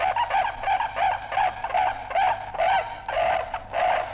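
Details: A pair of brolgas recorded in Australia for a 1968 vinyl collection of wildlife sounds: a steady run of about ten short, hoarse, nasal notes, each rising then falling, evenly spaced roughly every third of a second.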